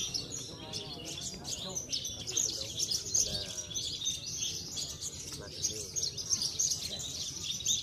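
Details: Javan bush lark of the parva subspecies, a stable trophy-winning contest bird from Cilacap, delivers an unbroken stream of high twittering and scratchy chirps, with people talking quietly in the background.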